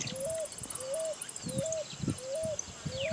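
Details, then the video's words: Pigeon or cuckoo song, 2018: a clear whistled note, flat and slightly rising, repeated about every 0.6 seconds, with soft clicks, low rustling and high faint chirps from other birds. "Cantos y gritos de aves Familias Columbidae y Cuculidae"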